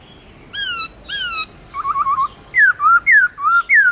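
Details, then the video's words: Forest-style song with long slurs from a black-throated laughingthrush: two loud rich whistles, a fast bouncing trill, then a string of alternating rising and falling slurred whistles. "Khướu Bạc Má Hót Giọng Rừng LUYẾN DÀI HAY"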